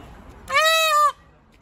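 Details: A single loud, strained call from an angry peacock, held level for about half a second, nasal and richly harmonic, cutting off sharply over quiet background.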